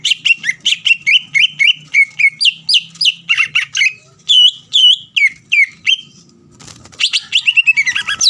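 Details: Greater green leafbird, a kept songbird, singing loudly to provoke a rival into answering: rapid series of bright, slurred whistled notes, many falling in pitch, delivered in fast bursts with brief pauses and a richer warbled phrase near the end.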